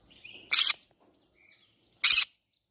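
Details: Green-cheeked conure singing in a flower garden, two harsh, buzzy screeches spaced about one and a half seconds apart, with soft faint twittering just before the first.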